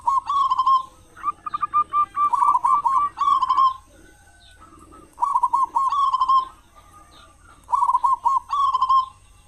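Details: Local Indonesian zebra dove, a loud, frequent singer used as a lure to get other doves singing morning and evening; soft rolling coos in bursts of quick repeated notes, three phrases spaced about two seconds apart, fairly quiet background.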